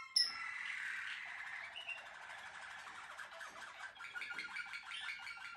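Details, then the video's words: Malinois Waterslager canary, a bred and selected song canary, delivering a dense rolling trill in the mid range, with brighter bubbling phrases rising toward the end of the passage. "Malinois waterslager"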